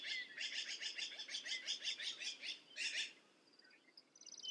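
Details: A black-billed magpie chatters in a long, even series of harsh rasping notes, pauses, then adds a brief louder burst; faint thin high notes from other birds follow.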